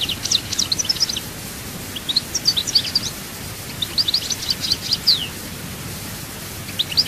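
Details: Song of a European goldfinch from Souk Ahras, delivered in quick twittering bursts of sharp tinkling notes, with about a second of quiet between phrases, over soft low background noise.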